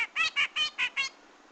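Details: Grey-cheeked bulbul, sound used as a lure for trapping birds: six short, bright, harmonic notes repeated about every fifth of a second, then a brief quiet tail with faint background hiss.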